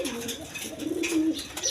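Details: Domestic coloured pigeons of local and foreign breeds cooing indoors, low throaty coos drawn out and overlapping, with a few faint higher chirps and scuffling from other birds.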